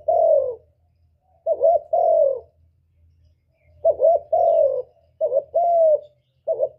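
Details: A spotted dove gives soft, low cooing phrases, a quick doubled note then a longer drawn-out coo, about every two seconds; the cooing is used as a lure for trapping and to stimulate kept birds.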